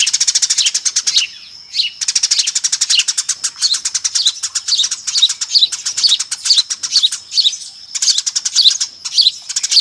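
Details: Eurasian tree sparrows chattering as a noisy flock for luring, with a continuous stream of rapid, high, sharp chirps and only brief pauses between bursts.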